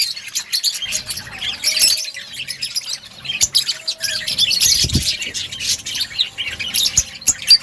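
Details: Many budgerigars kept in an outdoor colony chirp together, a busy high twittering with scratchy squeaks and rapid warbles, plus a few brief lower whistled notes and a dull thump midway.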